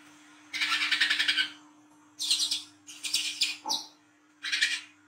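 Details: Kolibri kelapa (brown-throated sunbird) giving a night-time wiceh trotol ngriwik performance, meant as a lure for young birds. Four dense, buzzy rattling bursts of about half a second to a second each, with one thin chirp between, over a low steady hum.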